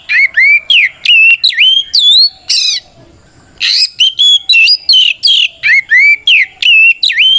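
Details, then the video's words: White-rumped shama singing a loud fighting song to challenge rivals, a dense run of clear whistles, upslurred and downslurred notes repeated almost three times per second, broken by one brief pause. "Suara Burung kacer gacor NGEPLONG tarung ini paling ampuh buat PANCINGAN KACER agar EMOSI Nyaut"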